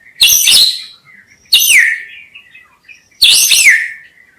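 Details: White-rumped shama phrases for bird trapping: three loud bright bursts, each a scratchy high flourish ending in a downward whistled slide, repeated roughly every one and a half seconds.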